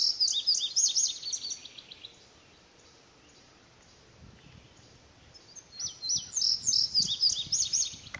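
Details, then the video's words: Indigo bunting singing repeatedly in front of the recorder, with a house wren and other birds calling nearby. Two bursts of high, sharp, paired chirping notes, each about two seconds long and separated by a quiet pause, over faint background hiss. "Indigo Bunting Singing"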